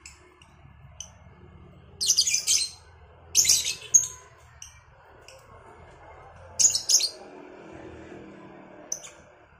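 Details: Lovebirds of the Cobalt and Batman varieties trading calls in the morning: short high chirps scattered among several loud bursts of shrill, scratchy chatter, with faint background noise.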